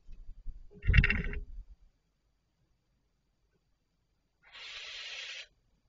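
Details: Barn owl at 04:38 on 19 July 2023 giving a harsh, hissing screech about a second long, preceded by a shorter rasping burst mixed with low thumps and knocks.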